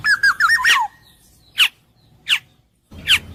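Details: Black-naped oriole (kepodang emas) opens with a liquid, fluty warble that wavers and falls away, followed by three separate, sharp, descending notes spaced well apart.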